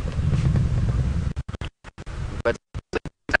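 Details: Low wind rumble and vehicle noise give way to choppy, broken bursts of speech, with no animal calls heard.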